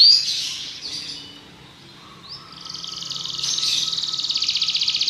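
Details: Belgian canary song, opening with a brief high note, a quiet gap, then a rising upsweep leading into a rapid, pulsing high trill that strengthens over the last two seconds.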